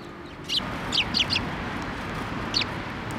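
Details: Sparrows arriving at a post to be fed at a Tenmangu shrine, 1 December 2023; a quick run of four sharp, high chirps in the first second and a half, then one more later, over constant low rumble.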